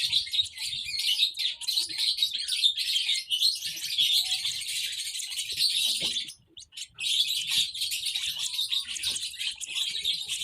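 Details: Baby lovebirds keep up steady high, scratchy chirping, which stops briefly for about a second midway and then resumes as a thick chatter.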